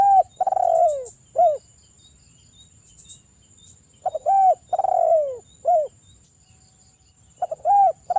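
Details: Lure song of a spotted dove, locally derkuku, used to draw out singing: repeated three-part phrases of a rising-falling coo, a long sliding coo and a short final coo, with thin high insect noise throughout.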